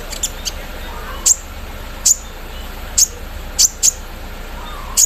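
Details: Javan sunbird, known locally as kolibri ninja, in morning dew: sparse, piercing high-pitched tsip notes spaced about a second apart over constant low hiss.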